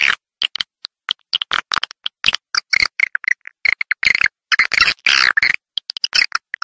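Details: In Vietnam, swiftlets chatter in quick, high, dry chirps and rattling clicks, delivered in short broken bursts with brief silent gaps between them.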